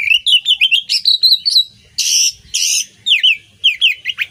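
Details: Oriental magpie-robin (kacer) masteran song for songbird training: quick repeated upslurred chirps, two long harsh rasps in the middle, then more sharp downslurred whistles.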